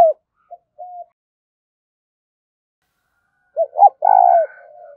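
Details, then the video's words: Spotted dove, 'gáy thúc' coo style: soft faint notes first, then after a silent gap a phrase of two quick hoots and a long vibrating coo fading away. "Tiếng chim cu gáy thúc cực đỉnh vang cả buôn làng"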